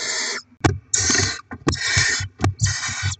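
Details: Barn owls feeding little ones with delivered rodents, 7 February 2024: a rapid run of harsh hissing screeches broken by sharp clicks, knocks and scraping movement sounds.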